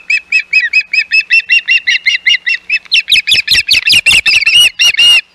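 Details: Hog Island osprey nest, 11 May 2021, intruding ospreys: a dozen even whistled chirps that turn louder, harsher and more frantic, with rapid squealing notes crowded together.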